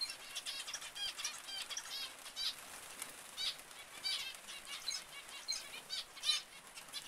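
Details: Zebra finches calling, a run of nasal, twangy beeps and short chirps, irregularly spaced over the whole stretch, with a few louder notes standing out from a busy flock background.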